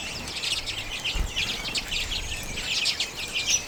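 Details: Common redpolls feeding on sunflower seeds in late January 2022, recorded with a Canon EOS M50. A dense chatter of short, high, twittering chirps overlaps throughout, with a soft low thump near the middle.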